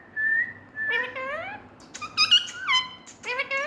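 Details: Pet green parrot in India making funny sounds: a steady whistled note, then rising, harmonic squeaky calls, a quick warbled burst, and more upward-sliding nasal calls, recorded indoors.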